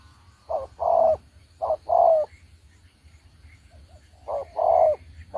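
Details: Spotted dove decoy from Đồng Ngô, used in trapping, repeating its paired coo three times: a short note then a drawn-out, gently falling note, with a pause of about two seconds before the last pair.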